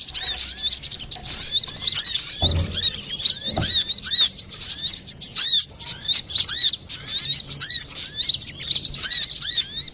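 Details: Brown-throated sunbird giving a clear, lively song used to lure or train birds: continuous, dense, very high twittering with rapid sliding chirps, broken only by brief pauses, and a couple of dull low thumps.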